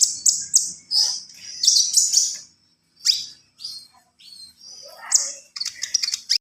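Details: Javan pied starling song in separate bursts: loud high shrill whistles and buzzy notes, a gap of near silence, then rapid clicking chatter and a lower slurred phrase.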